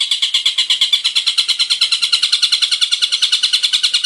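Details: ['Male long-tailed shrike singing energetically, a varied lure recording meant to prompt other shrikes to sing; dense harsh, buzzy notes repeated about three times per second, high-pitched and steady throughout, with no other sounds.']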